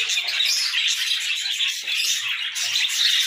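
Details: Cheerful pet budgerigars singing in the morning, a lively stream of chirrups, short whistled notes and scratchy warbling from several birds overlapping, constant and bright throughout.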